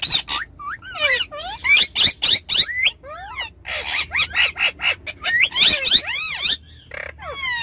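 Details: Ringneck parrots having fun in a car, calling rapidly with bent, arching squawks almost nonstop, and a faint low drone behind.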